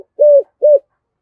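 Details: Two short, level, hollow coos from a decoy spotted dove singing in the 'giọng thổ' style, each lasting about a quarter second, with a brief gap between them.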